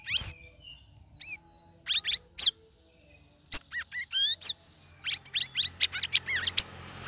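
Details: Sooty-headed bulbul in a cage, three weeks into ombyokan training, singing ngeriwik ngeplong: scattered loud downslurred whistles and chips, a brief gap, then a fast excited run of twitters and sharp notes over a faint hum.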